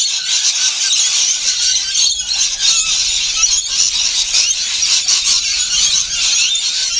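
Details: Rainbow lorikeets feeding; a dense, continuous wash of shrill, screechy chattering from many birds, with occasional clearer squeaky notes standing out.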